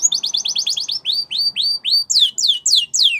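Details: Spanish Timbrado canary song meant for training young canaries: a fast series of repeated high chips, then slower downward-sweeping whistles about three per second, ending with louder falling slurs.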